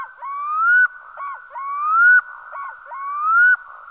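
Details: Black-throated loon giving a rhythmic series of rising, slurred, harmonic-rich notes, each about half a second long and repeated roughly every 1.3 seconds, with short hooked lower notes between them; no other sounds.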